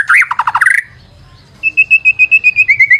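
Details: White-rumped shama singing as a lure: a fast run of loud, varied whistled notes, a brief pause, then a steady series of clear, even whistles repeated about four times per second, sliding slightly lower at the end.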